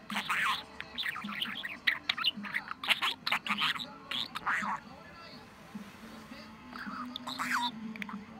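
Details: Pet budgerigar on 23 November, in top talking form: dense, raspy, speech-like babble for the first five seconds, then softer scattered squeaks over a low background hum.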